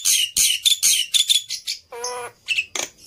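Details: Harsh, grating black-winged myna phrases in rapid succession, used to prompt caged birds to start singing, broken by a lower nasal harmonic squawk and ending in short scratchy chips.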